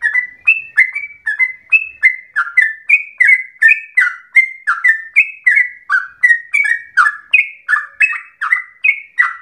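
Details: Yellow-vented bulbul in full, lively song, delivering a long rapid 'ropel' run said to sound like a straw-headed bulbul: a fast string of short clear whistled notes, about three per second, stepping up and down in pitch, with no other sounds.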